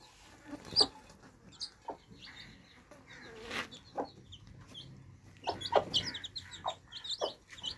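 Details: Thirsty baby chicks drinking fresh water, a flock peeping in short high chirps, loose and overlapping, mixed with brief knocking clicks of beaks, busier toward the end.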